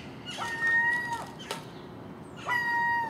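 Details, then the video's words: Common gull feeding on household garbage at dawn, with a magpie and crow nearby; two long, level, nasal calls with a sharp broadband click between them. "Common Gull Magpie and Crow making noise at early morning"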